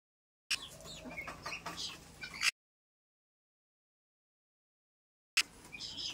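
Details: Guineafowl chicks giving high, thin peeping chirps in quick overlapping bursts, with a steady low hum underneath and a short gap before more peeps resume.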